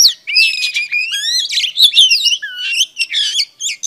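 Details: Female Oriental Magpie Robin singing to excite male birds: a sweet, sliding whistled note, then tumbling chirps, trills and scratchy notes delivered rapidly with brief pauses.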